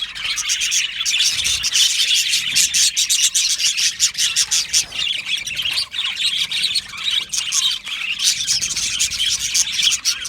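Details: Australian budgies in an aviary colony chirp and sing happily, giving loud, busy twittering with frequent squawky calls from many birds at once.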